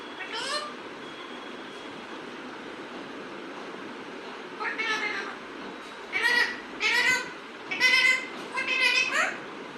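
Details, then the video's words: Pet parrot producing one nasal, meow-like call, then after a pause a run of five harsh, harmonic calls spaced about a second apart, set against constant low room noise. "my parrot"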